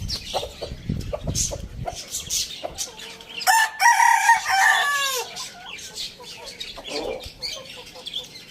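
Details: Rooster crowing in the morning: one strong harmonic crow of about two seconds, steady then sliding down at the end, with soft clucking and bird chirps before and after.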